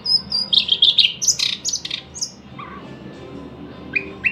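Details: Thrush nightingale delivering a quick burst of high, rattling and whistled notes in the first two seconds, followed by quieter sparse chips against a low hum.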